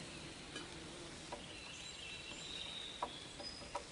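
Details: In July, a Downy Woodpecker makes a hole in garden bergamot, said to be for storing acorns. It taps a few sharp, irregular knocks, about five in four seconds, over outdoor hiss with faint high bird or insect notes.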